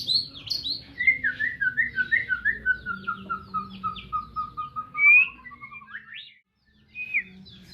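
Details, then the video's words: White-rumped shama from Medan singing a long run of quick repeated notes that step steadily downward, then a loud whistle, a sharp upward sweep, a brief pause and a last whistled note. "Burung murai batu medan"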